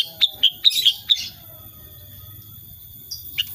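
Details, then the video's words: Sooty-headed bulbul in 'tembakan' shooting-style song. About five quick, clipped high notes are delivered within one second, followed by silence and a single late chirp, with a faint constant high tone behind. "KICAUAN KUTILANG SUTRA SUPER GACOR"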